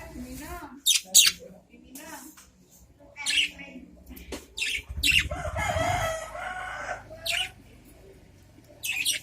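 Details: Adult budgerigars in a cage calling back and forth: scattered sharp, bright chirps and short squawks, with a brief harmonic warble near the middle, over a low background hum.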